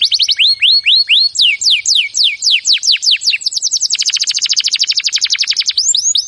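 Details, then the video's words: A canary sings a training song: upswept whistles give way to falling strokes, then a dense, very fast rolling trill, closing with a few rising notes. "Birds song Canary ❗suara Burung Kenari !!"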